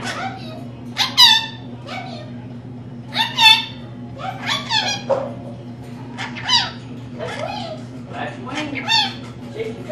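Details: Female pet rainbow lorikeet speaking mimicked human phrases at home: irregular bursts of high, nasal, word-like syllables every two to three seconds, with softer chatter between them and a steady low hum throughout.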